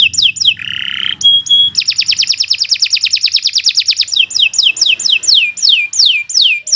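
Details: Canary singing continuously, meant for training young or silent birds: falling whistles, a lower buzzy phrase, a long fast high trill, then a steady series of loud down-slurred whistled notes.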